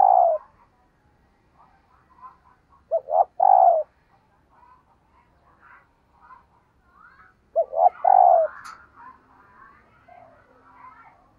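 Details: Calling female dove, used to stimulate males, gives deep coo phrases at irregular intervals of three to five seconds: two clipped notes then a long mellow coo, with softer trailing coos and a brief click.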